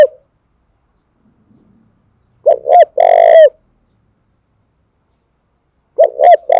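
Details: Cooing spotted dove from Dong Nai, Vietnam, a call used as a lure for training decoys: after silence, a phrase of two short looping notes and a drawn-out rough coo, begun again near the end.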